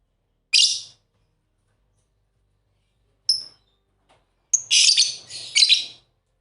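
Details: Two pet lovebirds playing and showing affection, chirping: a harsh, high burst at the start, a brief squeak after a long pause, then a dense run of raspy, overlapping chatter near the end; no other sounds.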